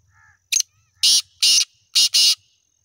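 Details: A seven-month-old black francolin, or kala tetar, calling: one sharp short note, then four loud, harsh, grating bursts in two pairs over about a second and a half, each rasping and noisy, in an otherwise quiet setting.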